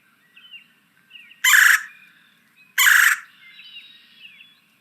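Two loud, harsh rolling churrs from a Red-bellied Woodpecker, about a second and a half apart, over faint thin chirps of other birds.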